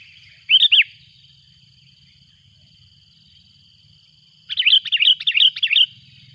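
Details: Sooty-headed bulbul calling loudly as a rival arrives. A short two-note bubbly phrase opens, then silence for nearly four seconds, followed by a rapid, uneven string of about eight bright, warbling notes, over a faint high whine.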